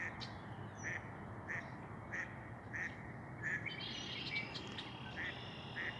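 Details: At Lake Josephine in Billings, Montana, a red-winged blackbird gives short, harsh check notes about every two-thirds of a second, with a brief buzzy run midway, over steady rushing background noise.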